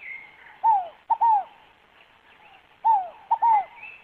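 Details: Scaled dove (Columbina squammata) song: a soft, low cooing phrase of three hollow, falling notes, repeated about every two seconds; faint higher whistles from other birds behind.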